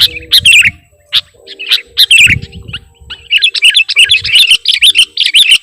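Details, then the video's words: Sooty-headed bulbul lure sound: scattered sharp chirps and slurred notes, then a fast, dense chattering run of bright twisting chirps in the second half. "Suara Pikat Burung Kutilang Gacorr"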